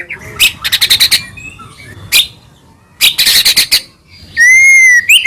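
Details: White-rumped shama in captivity, a Medan bird singing its full-fill song as a lure to set rivals singing: two rattling bursts of fast clicking notes with a single sharp note between, then a long, steady, pure whistle that bends upward at the end.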